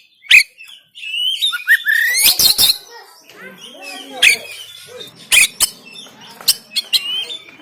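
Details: Harsh 'tembakan kasar' song of an oriental magpie-robin from Banten, phone-recorded, meant to rouse lazy caged birds: a long rising whistled glide, then loud cracking snaps and scattered short chirps.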